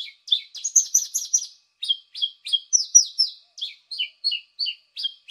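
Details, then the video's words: Lure calls of a paddyfield pipit: a fast run of piercing chirps, a short pause, then separate sharp downslurred notes repeated every quarter to half second, crisp with a silent background. "Suara pikat ampuh burung apung"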